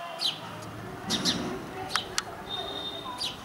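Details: Indian house sparrow (Passer domesticus indicus) from India, a common resident of urban areas and human settlements, giving a few short, sharp downward chirps spread unevenly across the recording, with faint clicks, a thin steady whine and low background rumble.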